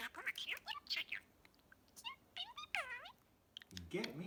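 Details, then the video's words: Evening chatter from a male pet budgerigar mimicking phrases: quick squeaky syllables and drawn-out warbling, down-curving notes, ending with a lower, voice-like sound. "the Budgie talks up a storm for two and a half minutes!"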